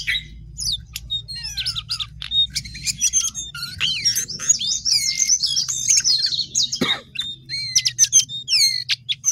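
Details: Energetic song of a Sooty-headed bulbul, with rapid high twittering and quick rising and falling whistled notes packed closely together, plus one short low thump late on and a constant low background hum.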